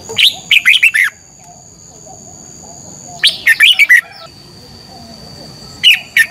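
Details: Red-whiskered bulbul competition song at morning, aimed at provoking other birds to sing: crisp bursts of five quick warbled whistles, repeating about every three seconds, over a low background murmur.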